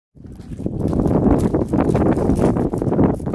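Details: Magellanic penguin (Spheniscus magellanicus) at Punta Tombo reserve, Argentina, giving a loud, hoarse, donkey-like braying call lasting about three seconds, with wind rumbling underneath.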